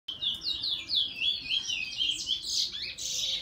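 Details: Bullfinch singing a morning tryout: a continuous run of high, twittering, warbled notes sliding up and down, with no pauses and little background sound.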